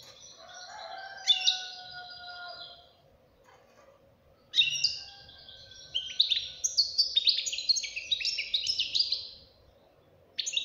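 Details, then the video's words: A young European goldfinch gives its twittering song in bursts. A short jangle is followed by long steady lower whistled tones, a pause, then a long rapid sequence of sharp metallic chirps and trills, and a brief final burst. "غناء فرخ طائر الحسون"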